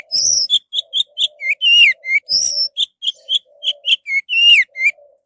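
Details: Orange-headed thrush song played as a lure for other birds: a fast, continuous series of varied whistled notes, sharp chirps and slurred downward sweeps, with a softer low warble underneath.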